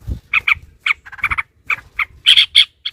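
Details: Yellow-vented bulbul, aroused and combative, delivering quick rattling song notes in short pairs and triplets, ending with two loud, shrill squeals.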